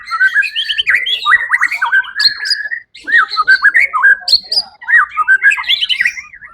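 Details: Winning white-rumped shama at the Suara Agung songbird contest, 1 October 2023, delivering choppy bursts of clear whistles, upslurs and high squeaks, separated by short gaps.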